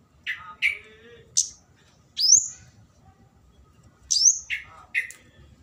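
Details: Flowerpecker lure calling for a rival: a busy mix of sharp high rising squeaks and lower buzzy downslurred notes, irregularly spaced.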